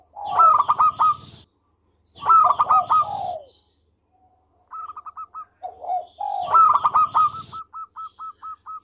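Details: Local zebra dove singing actively: three loud bursts of rapid, clipped cooing notes, each about a second long, with a softer trailing run of quick hooked notes.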